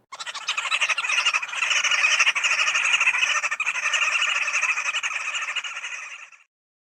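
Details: A Green Wood Hoopoe, a common Eastern Cape bird, gives a harsh, rapid cackling chatter, with several birds together in a continuous rattling chorus lasting about six seconds.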